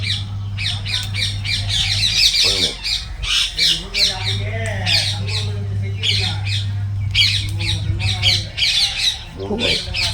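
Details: Parrot calling in a garden: harsh, raspy squawks repeated in quick bursts over ten seconds, mixed with people talking and a steady low hum.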